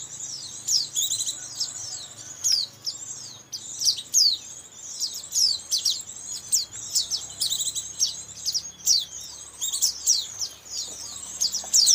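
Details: White-eye lure sound for trapping white-eyes in Indonesia: continuous high, thin twittering of rapid chirps and sharp downslurs, pulsing in short bursts every second or so, with a faint low hum beneath.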